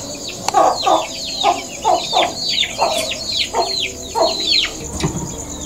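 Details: Chicken settling down to sleep, giving soft repeated "gog gog" clucks, each paired with thin downslurred cheeps, in a steady series of about two per second over a light hiss.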